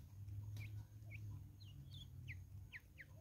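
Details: Natal spurfowls calling as a flock in South African woodland: short, sharp, falling notes spaced about half a second apart, some paired, above a constant low rumble.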